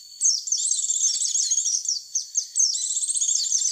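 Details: White-eye lure call, a clear recording used to draw white-eyes in: rapid, very high twittering of thin chirps and short slurred notes, near continuous, with a brief pause just past two seconds before the chatter resumes.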